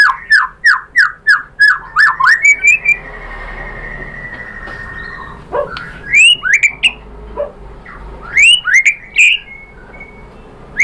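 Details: White-rumped shama song played as a lure to provoke another shama into singing. Clear rising whistled notes come in quick runs, then a pause with a faint hum, then more sharp upslurred whistles and short bursts.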